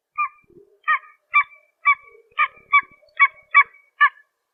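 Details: Pied-billed Grebe, a small brown grebe of ponds and marshes, giving a steady series of about nine loud, hollow, harmonic cow-like notes, spaced roughly half a second apart, with a few softer low notes between them.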